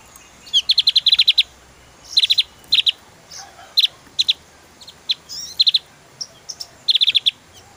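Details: Javan white-eye giving dense, rapid series of sharp, high ticking notes in bursts, mixed with scattered single chips and faint thin twitters.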